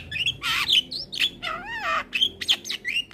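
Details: A male Javan myna calls to its companions, a sound used as a lure. Loud harsh squawks alternate with wavering, warbled whistles that rise and fall, ending in short sharp chirps.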